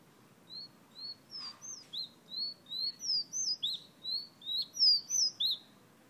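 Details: Whistling of a fire red bird from Guyana: about twenty thin, high whistles in a lively, uneven series, the notes alternately rising and falling, with a brief low rustle early on.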